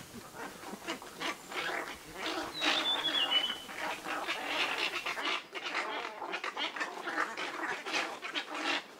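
A dense chorus of hoarse, croaking and honking Asian openbill calls overlaps continuously, with a brief thin whistle from another bird early on.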